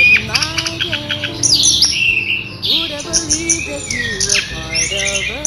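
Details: Orange-headed thrush singing a loud, clear rolling song for lure and tutor use: rapid varied phrases of high sharp whistles, chirps and descending slurs, mixed with lower warbled notes, almost without pause.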